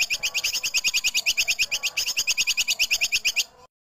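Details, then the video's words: Masteran recording combining a female cucak kinoi with tupai kekes squirrel, intended for tutoring contest songbirds: a continuous run of quick, piercing chirps, about eight per second, then silence. "KOMBINASI CUCAK KINOI BETINA vs TUPAI KEKES MASTERAN JERNIH"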